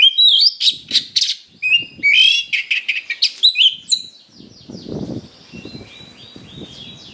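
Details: Oriental magpie-robin lure song for provoking fights: loud buzzy bursts and rising whistles in the first half, then softer thin descending whistled notes over low rumbling noise.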